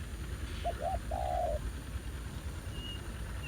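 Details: Spotted dove during ground-decoy trapping, where a new wild bird answered keenly: a single phrase of two quick hoots followed by a long, level coo. A faint high whistle comes near the end, over steady low background noise.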